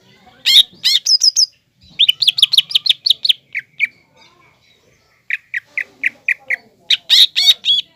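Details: Green leafbird in vigorous song meant to make a spotted young leafbird emotional and combative: loud rising whistles, a high trill, then evenly repeated chirps in two steady series with a short silence between.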